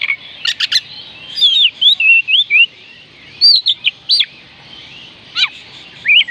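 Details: Oriental magpie-robin song for getting reluctant birds to sing: rapid sharp notes at first, then a lively series of whistled slurs, warbles and descending sweeps in quick succession with short gaps.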